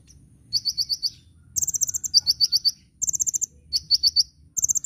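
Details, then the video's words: High-pitched sunbird (kolibri ninja) song for tutoring caged birds, gacor nyecret nembak style: repeated bursts of five to eight very fast, thin, metallic notes, alternating between two pitch levels, with short pauses between bursts. "Masteran Burung Kolibri Ninja (KONIN) Gacor Nyecret Nembak"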